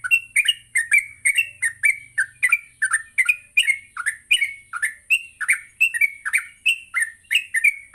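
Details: Energetic morning song of a yellow-vented bulbul, played to coax others into song and ngropel: an unbroken stream of warbling, slurred chirps rising and falling several times a second, over a thin high tone.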